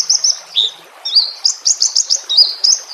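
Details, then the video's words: A training recording of a White-rumped shama, set against nature sounds. It gives bright, varied high whistles and chirps in short phrases, some rising and some falling, with brief pauses between them. Faint running water sounds underneath. "Masteran murai batu"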